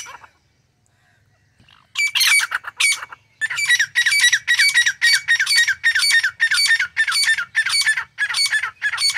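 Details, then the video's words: Grey francolin, called dakhni or irani teetar, calling in a harsh squawking voice: a few loud notes, a brief pause, then a long steady series of rasping calls repeated almost twice a second. "Top 15 Different Voices Of Grey Francolin - Teetar Sounds"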